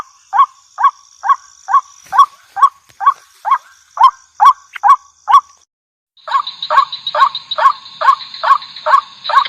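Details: Female white-breasted waterhen lure call, a steady run of about thirteen hoarse nasal notes, a short silence, then the series resumes with a stronger high-pitched buzzing drone behind it.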